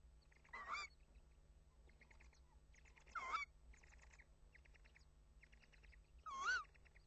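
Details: Tawny owl at a nest on 25 March 2015 at 21:20 as the male brings a mouse: three loud, harsh, wavering calls about three seconds apart, with softer raspy bursts between, over a steady low hum.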